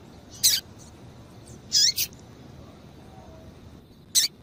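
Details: High, thin call notes from a female double-collared seedeater, a calling female played to stimulate males: a single chip, a quick double note about a second later, then a lone chip after a long gap, against faint background hiss.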